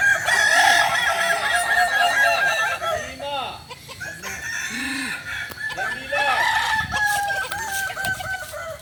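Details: Balenggek crowing chickens in training at Ampang Kualo, Solok: several roosters crow at once in long, wavering, multi-note calls that overlap, rising and falling, with a brief lull near the middle.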